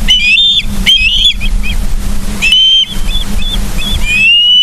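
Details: Osprey at its nest in Charlo, Montana, 31 August 2023, 09:36, on a live nest cam: clusters of piercing, upslurred whistles in quick pairs, then a pause and more drawn-out whistled calls, with a constant low hum underneath.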